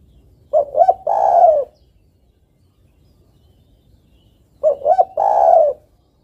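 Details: Spotted dove female calling to a male, a call also used as a lure for trapping: two short rising coos then a long, drawn-out throaty coo, repeated about four seconds later, with a quiet background.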